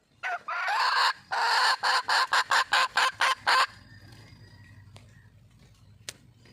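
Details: Red junglefowl calling for a mate. A few short whistled notes lead into a fast run of harsh, clipped pulses that stops abruptly, leaving a quiet low background hum.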